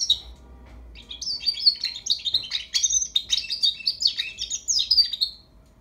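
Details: Young European goldfinch rehearsing its song: after a short opening chirp and a pause, a continuous run of fast, high twitters and thin whistled notes fades out at the end.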